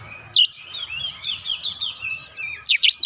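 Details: Oriental magpie-robin singing as lure audio to provoke other birds into singing: a long run of clear, varied whistled phrases that waver and slide, ending with sharp, bright chirps, over faint low background hum.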